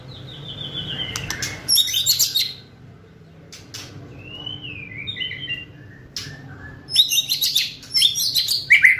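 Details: White-rumped shama in fierce kretekan style, used to provoke other shamas and speed up full singing: scattered clear whistles, some slurred and falling, mixed with harsh crackling bursts, separated by quiet gaps.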